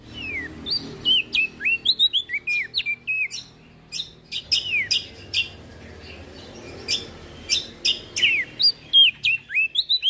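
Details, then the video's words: Olive-backed tailorbird singing vigorously as a training master song: bursts of sharp, downslurred whistles and clipped chirps in irregular runs, separated by short pauses. "Burung Prenjak Daun Gacor"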